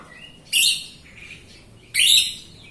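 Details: Jalak Rio myna in full song, played to coax untrained or silent Jalak Rio birds into singing. Two loud, harsh rasping bursts about a second and a half apart, with softer buzzy notes between them.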